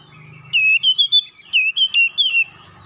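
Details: Oriental magpie-robin, basic song in the tight rolling ngeroll rapat style: one two-second burst of about a dozen quick, loud whistled notes, rising and dipping, over a faint low hum.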